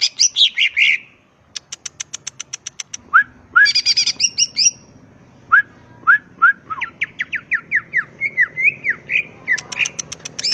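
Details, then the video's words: Greater green leafbird (cucak ijo) in full ngetrok singing, recorded to train other birds: harsh chattering bursts and fast ticking trills, then a long varied string of rising and falling whistled notes. "SUARA BURUNG CUCAK IJO GACOR.. NEMBAK FULL NGETROK"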